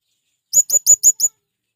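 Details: Five piercing, high chirps in quick succession from a male blue-crowned hanging parrot calling companions, used to lure wild birds; clean background, otherwise quiet.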